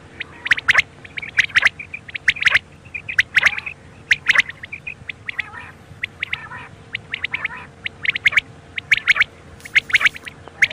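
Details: Quails at night: quick sharp chirps bunched in bursts, roughly one burst a second, some harsher rasping notes mixed in, with a steady low hum throughout.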